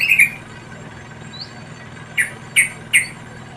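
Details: Wild yellow-vented bulbul chicks fed by a parent give short harsh squawks, a pair at the start and three more spaced under half a second apart near the end, with one faint rising whistle between.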